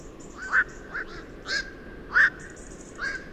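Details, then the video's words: Black-crowned night heron, a migrant bird of wetlands and open water, giving short hoarse croaking calls, about five in three seconds and irregularly spaced, the loudest at the start and middle. "صوت غراب الليل بلشون ليل أرأس Black crowned Night Heron sound"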